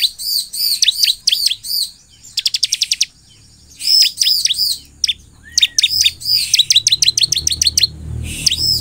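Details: Lively ciblek song used as playback to make other ciblek birds answer: bursts of high, slurred chirps alternate with rapid clicking trills and short gaps. The phrases are sharp and bright, with a faint low rumble underneath.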